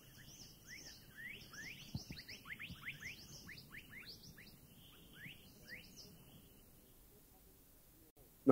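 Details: Scarlet Minivets in a Thai national park give a rapid, overlapping stream of thin, high, rising whistled notes for about six seconds, like a small flock calling together, then fade out.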